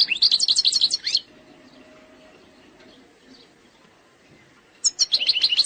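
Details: Algerian goldfinch in eastern sector style, without faults: a one-second burst of fast, high, metallic twitters ending in a down-slurred note, a long silence, then a second similar burst.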